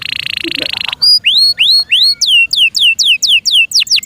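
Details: Singing canary in captivity: a buzzy, droning trill gives way to a series of bright upswept whistles repeated about four times a second, turning into falling slurs.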